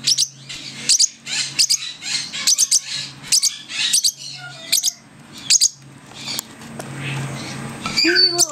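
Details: Baby lovebirds, six weeks old and learning to feed themselves, make rapid squeaky high chirps, often in double notes, repeated roughly every half second. A softer stretch follows, and a human voice briefly rises at the end.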